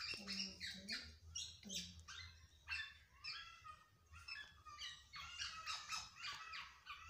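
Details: Black-naped oriole that resists being cared for yet still sings energetically: a dense, busy run of harsh, nasal, rapidly repeated notes, roughly two per second, with a brief low humming sound near the start.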